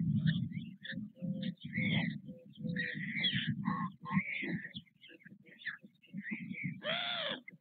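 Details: White stork chicks begging during a parental feeding at the Nové Mlýny nest on 6 May 2024. Rhythmic low grunting pulses mix with scratchy high wheezes, fading toward the end before a final harsh, wavering cry.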